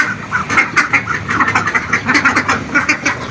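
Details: Domestic ducks, refusing their food and wanting feed instead while being sent to a swimming pool, quack in a busy, overlapping chorus, short nasal calls tumbling several times a second without pause.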